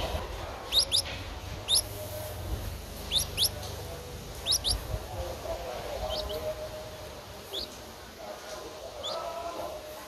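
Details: Streak-eared Bulbul nestling, 11 days old, recorded 13 April 2023 in Ubon Ratchathani, Thailand; thin, high squeaky notes, often paired, about a dozen scattered across ten seconds over a low rumbling background.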